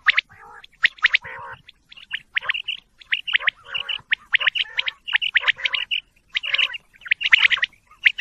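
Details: Quail calling together: a busy stream of short, high chirps mixed with harsher, nasal buzzy notes, overlapping and irregular throughout, with no other clear sounds.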